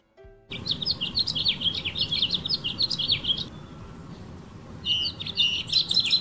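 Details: Male house finch in a California backyard garden, perched on a branch and singing to attract females, with other birds nearby; a lively warbled phrase of rapid chirps and slurred notes for about three seconds, a pause, then another burst, over low background rumble.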